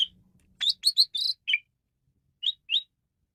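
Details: Male Asian pied starling for luring birds gives a quick series of bright, slightly buzzy whistled notes, a falling note, then two short high chirps after a pause; otherwise quiet.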